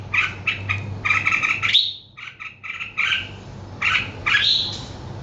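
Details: Bird song of rapid chirping trills and upward whistled sweeps, broken by a short pause midway, over a faint low-pitched hum.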